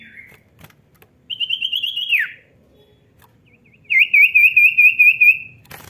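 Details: Gacor cipow, the common iora, singing ngetroll phrases meant to prompt reluctant birds: a short whistle, a rippling trill falling at its end, a pause with faint notes, then a second longer quavering trill.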